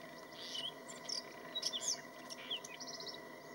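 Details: White-throated Robin in Burdur, Turkey, gives a quick, jumbled run of high scratchy chirps and thin whistles, ending in a short trill, over a steady insect-like hiss.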